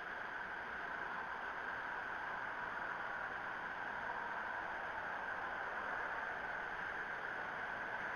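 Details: Steady broadband hiss with a bright band in the mid range, constant throughout and with no calls or other distinct sounds.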